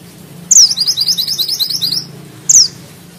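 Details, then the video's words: Mountain bushchat (mantenan gunung) in lively rolling song, a high downslurred whistle leading straight into a fast twittering trill, then another sharp whistle, with a low steady hum beneath. "Mantenan gunung gacor ngeroll rapat,nembak tajam!!"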